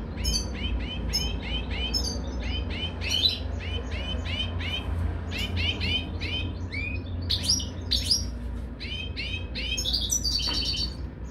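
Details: Caged European goldfinch at mating time: a steady series of clear, arched chirps repeated roughly twice a second, ending in a brief jumble of higher twitters, with low room hum.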